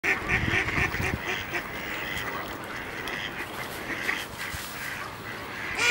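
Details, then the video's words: Ducks fighting on ice, giving rapid repeated quacking calls in a busy burst at the start, then a steady background of many calling birds with scuffling and splashing noises. "Duck Fight!"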